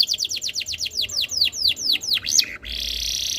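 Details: Canary tutor song meant to make other canaries join in, with a series of about twelve descending swooping whistles, then a sustained buzzy roll.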